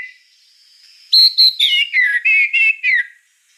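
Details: Gacor white-rumped shama: a faint drawn-out whistle, then about seven loud, clipped whistled notes in quick succession, each differently shaped, stepping downward overall before the song stops.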